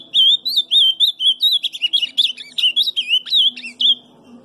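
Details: Ultramarine grosbeak singing softly, a subdued subsong: a steady run of clear whistled notes with quick slurred wiggles, the phrases packed closely and repeated for about four seconds before trailing off; faint low hum beneath.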